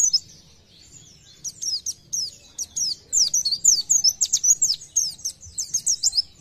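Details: Oriental white-eye (pleci) delivering its 'nembak' burst song to encourage other white-eyes to sing: after a brief soft start, very high, quick, sharp notes come in a long, lively, uneven stream.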